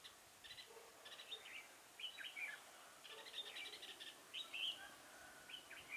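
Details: Red-whiskered bulbul used as a decoy bird for trapping, recorded 6 November 2017: short bright whistled and chirping phrases repeated through the clip, with some faint lower background notes.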